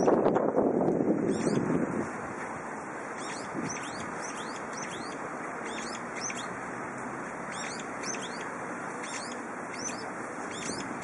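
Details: Brown-eared bulbul calling on a windy spring day: a run of short, high, sharp chirping notes repeated several times a second in irregular bursts, with a loud gust of wind rumbling through the first two seconds and a steady hiss after.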